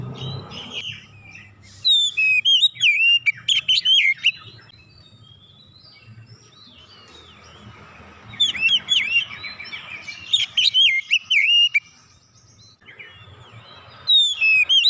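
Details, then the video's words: Oriental magpie-robin (kacer) singing eagerly, bringing out hidden isian, its mimicked filler phrases; bursts of varied bright whistled and chattering notes, swooping up and down, delivered in two-to-three-second outbursts separated by quiet pauses with faint low hum. "kicauan Kacer membuka isian suara yang terpendam langsung ngotot bongkar isian"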